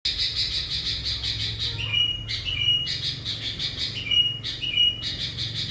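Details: Sooty-headed bulbul in lively gacor voice, a bird used as a lure that has drawn in hundreds of wild bulbuls; rapid harsh chattering notes broken by short clear whistled phrases, repeated several times.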